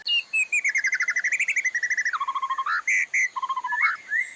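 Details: White-rumped shama master song for training caged birds to sing, played mornings and evenings; a fast run of clear whistled notes, then lower rising slurs and sharp upswept notes, loud and varied, with no background noise.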